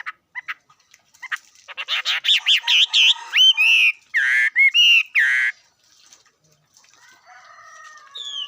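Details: Bird song of rapid rich warbled phrases with loud repeated slurred notes and a few squawky elements, starting with scattered chips and fading into quiet background whistles.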